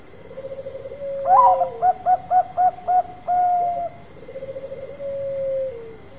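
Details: Lure song of a Bangkok zebra dove: a soft rolling purr opens into six quick staccato coos, then one long held coo, ending in another low rolling trill; a thin constant background tone persists.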